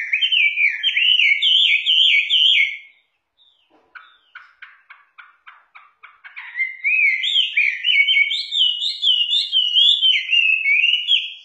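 Chinese hwamei singing loud, rich warbled whistles that rise and fall, broken by a brief run of quick, dry clicking notes before the melodious phrases resume.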